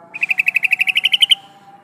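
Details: Female yellow-vented bulbul calling the male: one fast, even trill of about fifteen bright, chirping notes, rising slightly in pitch and lasting just over a second, over a faint steady tone.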